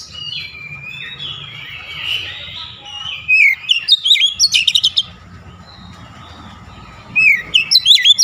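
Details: Oriental magpie-robin giving its aggressive shooting song display: soft warbled phrases building into sharp rapid note bursts around four seconds and again near the end, over a quiet low hum.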